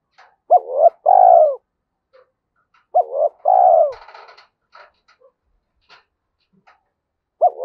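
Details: A spotted dove with the 'giọng thổ' (Thúc Đấu) voice, kept as a decoy for forest trapping, repeating a two-part phrase: a quick wavering note then a longer mellow falling coo, roughly every two and a half seconds, with scattered clicks and a rattle between.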